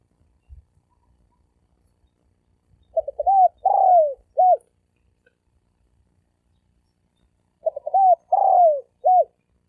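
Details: Spotted dove coo in the thổ sấm đồng style, meant to lure males and females: two well-spaced phrases, each a few quick low notes, a drawn-out drooping coo and a short last note, otherwise quiet.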